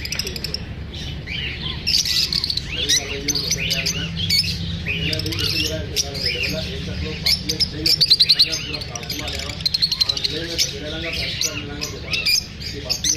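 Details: Lovebirds chirping after feeling unsafe while being filmed: a dense, continuous chorus of sharp, high twittering chirps from several birds overlapping throughout, with lower rasping notes in the middle and a steady low hum beneath.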